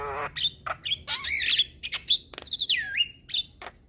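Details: Training recording of a caged white-eyed black-winged myna nodding as it sings: squeaky whistled slurs, a swooping falling-then-rising whistle, harsh rasps and dry clicks in a busy, high-pitched sequence.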